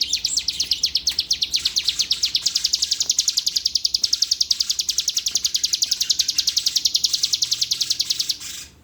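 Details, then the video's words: Bar-winged prinia (ciblek) from Palembang, a prized songbird, giving a long fast trill-like series of high chipping notes, about eight per second, holding steady for eight seconds then stopping abruptly. "CIBLEK GACOOR"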